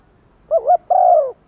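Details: Single coo phrase from a decoy spotted dove calling wild doves in. A brief wavering double note is followed by a smooth, steady, slightly falling hoot lasting under half a second.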